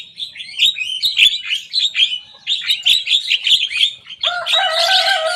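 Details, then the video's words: Energetic young Javan myna imitating rivals: a rapid run of scratchy chirps, then a sustained, rich, buzzy whistle with stacked harmonics filling the last second. "Jalak kebo muda gacor bongkar suara lawan."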